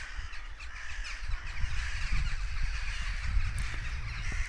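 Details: Crows mobbing with loud caws following an apparent goshawk kill; a thick wash of hoarse, repeated calls continues without pause, with wind roar beneath.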